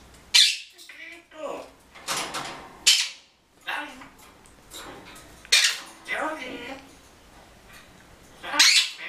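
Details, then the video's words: Pet grey parrot, a red-tailed female kept indoors, imitating a little of its repertoire of words and phrases: sharp, loud squawks and shrill bursts recurring every few seconds, with softer speech-like chatter between them in a small room. "Yaco o loro gris de cola roja, imitando un poco."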